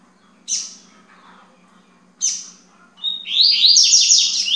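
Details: Morning recording at 9:20, day two, of a yellow-bellied seedeater: two crisp high chips spaced a second and a half apart, then a rapid, loud twittering song phrase of rising and falling whistled notes, over a soft low hum.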